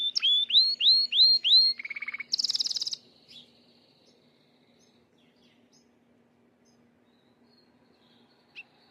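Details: Gloster canary coming into breeding condition sings a short burst: five repeated upslurred whistles, a lower buzzy trill and a high rattling run, then near silence with a low hum.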